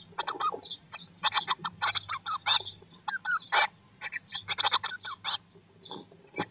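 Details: Eurasian blue tits in a nest box nineteen days after hatching, 2022: irregular clusters of quick, high cheeping notes, roughly one burst per second, over a faint hum and soft scuffling.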